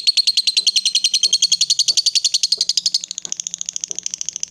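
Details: Female fighter lovebird in extended ngekek chatter, used to provoke rival birds. A very rapid, rattling, high stream of notes runs for three seconds, then continues thinner and higher. Faint low knocks are audible beneath.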